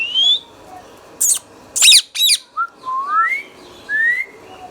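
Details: Green Indian ringneck parakeet, a pet talking parrot, gives clear rising whistles and a few short harsh squawks in bursts, with quiet gaps between notes.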